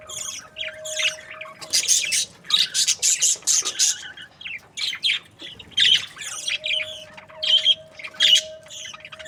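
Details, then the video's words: Breeding pairs of happy budgies keep up lively, high-pitched chirping and chatter in repeated bursts of about half a second, with a faint steady hum in the background. "Happy budgie chirping sounds"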